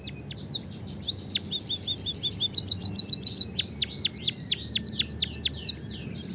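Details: White-headed munia chirping, used to stimulate other birds to sing: high thin downslurred notes, then a rapid series of sharp chirps about three per second, over steady low hum.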